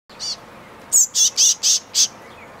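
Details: Boldest tit of a noisy group demanding mosquitoes: one softer chirp, then five loud, harsh, very high chirps spaced about a quarter second apart.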